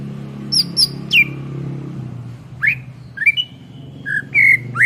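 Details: Energetic greater green leafbird song, a tutor recording for songbirds: sparse high chips and upslurred whistles at irregular gaps, with a steady low engine-like hum beneath.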